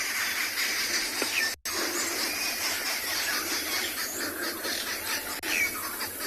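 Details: Arrow-marked babblers on a South African game reserve, on an afternoon safari on 4 October 2020, shout at each other and probably at observers. They are also alarmed by a nearby eagle-owl fight, giving a harsh, rasping, near-continuous scolding chorus with a brief break.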